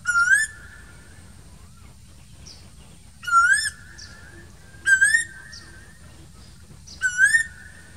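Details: Summer calls of an Asian koel in green trees, four rising whistled notes with a slight upward swoop, repeated every one and a half to two seconds, faint distant chirps between them.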